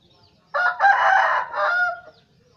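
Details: Lure crow of an Aceh red junglefowl: a single coarse crow broken into three quick segments, fading at the end, with faint low rumble beneath.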